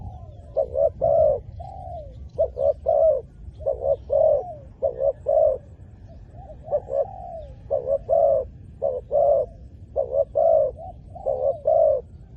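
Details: Spotted dove used to lure wild doves gives low, hollow coos in grouped phrases, two or three notes at a time, with short gaps between the phrases.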